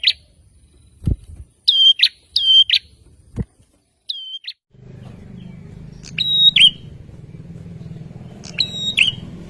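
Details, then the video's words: Male bar-winged prinia song used to bait rivals into answering: paired whistle-and-buzz notes at first, then a few more spaced notes over a steady low rumbling engine-like drone. "SUARA PRENJAK JANTAN GACOR NGOTOT BIKIN LAWAN CEPAT NYAUT"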